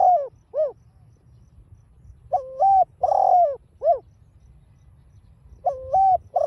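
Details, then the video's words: Spotted dove in 'đồng pha' voice, played to excite a caged dove: a trailing coo and arched note, then a full phrase of stepped coo, long drawn note and short final hoot, beginning again at the end. "chim cu GÁY GỌI kích bổi hiệu quả giọng đồng pha"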